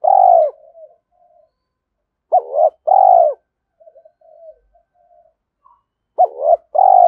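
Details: Spotted dove kept as a decoy bird, calling to quickly stir up wild doves, in the 'giọng thổ' voice style; loud, low, rounded coos in short bursts of two or three notes separated by pauses, with soft quieter murmurs between.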